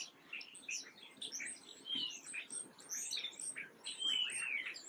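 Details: Black-capped chickadees give a busy stream of high, thin chirps and short sliding whistles, overlapping almost without pause, with other small birds possibly calling too.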